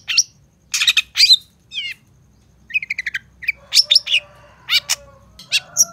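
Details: Varied long-tailed shrike song used for training and luring other shrikes: scratchy bursts, a rapid series of clipped notes, ringing descending whistles and harsh chatter, with gaps between phrases and a faint background hum.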